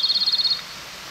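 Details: A Japanese robin hidden in thickets of mountain forest gives a quick, high, even trill of about nine rattling notes, lasting just over half a second, before falling quiet.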